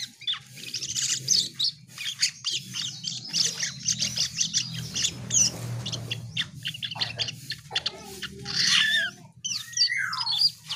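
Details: Asian pied starling pouring out a long, continuous stream of harsh, rasping chatter and high squeaks, ending with a few clear rising and falling whistles; steady low hum underneath.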